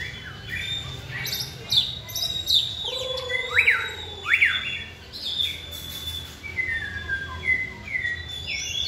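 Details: White-rumped shama song at a singing-training session for caged birds: loud swooping whistles, rising and falling slurs, and scratchy squawks, with constant low-pitched background noise.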